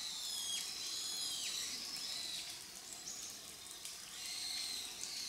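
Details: Grey wagtail, filmed July to December 2023, uttering high downward-sliding chirps in quick succession amid loud rushing, water-like noise.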